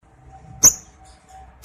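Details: Lovebird male in breeding condition, used as a lure to provoke males to ngekek trilling; two piercing high chirps about one second apart over a quiet low background hum.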